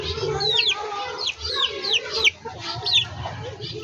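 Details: Backyard chickens, hens and roosters: a short run of shrill falling peeps, about two per second, over a soft mid-pitched murmur of clucking and faint low hum.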